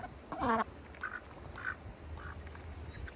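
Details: Ducks kept in a bucket during winter on a farm: one loud, harmonic, nasal quack near the start, followed by a few faint, short quacks against a steady low hum.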